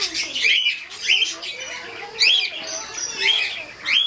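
A cockatiel gives shrill, rising whistled calls, five in about four seconds, with soft chattering between them.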